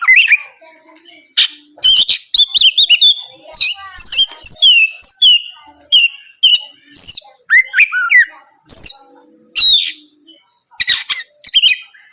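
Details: Oriental magpie-robin singing energetically in the morning, a lure meant to draw answers from rival birds; a long run of varied whistled phrases, slurred notes and sharp chips with short pauses.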